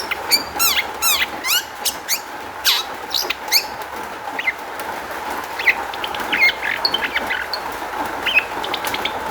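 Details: Lure song of a long-tailed shrike meant to prompt other shrikes to answer; rapid clusters of sweeping whistles and clicks at first, then softer scattered high twitters over a constant hum.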